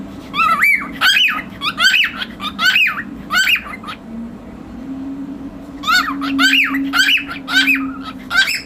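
A cockatiel gives bright, rising chirps in quick bursts, with a low steady hum behind.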